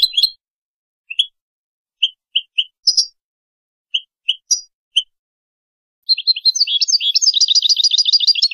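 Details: Mutation European goldfinches: short, sharp high chirps spaced about half a second apart, then a fast, continuous tinkling twitter of repeated high notes for the last two seconds.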